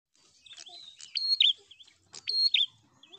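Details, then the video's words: Several prinias in a group sing persistently to provoke a rival: high chirps around a sharp click, a level whistle and a dipping note, with overlapping phrases and softer twitters between. "Burung Prenjak Gacor Fighter l Ampuh Pancing Em0si Prenjak Ombyokan"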